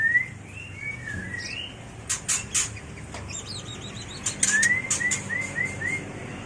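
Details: Mating song of a white-rumped shama, played to train and lure birds: a series of short rising whistles, several sharp broadband clicks, a high wavering trill, then repeated upslurred whistles.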